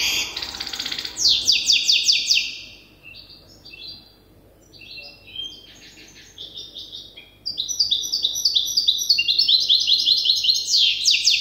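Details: Goldfinch hybrid in the learning stage of its song, tutored by an older hybrid. It gives loud rattling high trills, pauses with scattered short twitters, then a long, rapid, tinkling run of repeated notes to the end.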